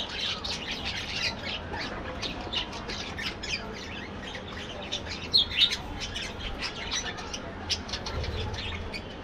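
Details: Many budgerigars calling together in an aviary colony, producing a busy stream of scratchy squawks and thin chirps, about four notes a second, irregular. A couple of sharper whistled notes stand out midway over a faint low rumble.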